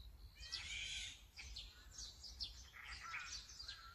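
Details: Azure-winged magpie, filmed on a Sony A9 with a 200-600mm lens, giving a rapid run of scratchy, chattering notes and short buzzy rasps over four seconds, against steady low outdoor noise.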